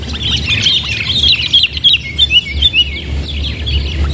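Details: Sooty-headed bulbul (kutilang) calling during trapping with a decoy bird; rapid jumble of bright chirps and short whistles, a few louder slurred notes standing out, with low background hum.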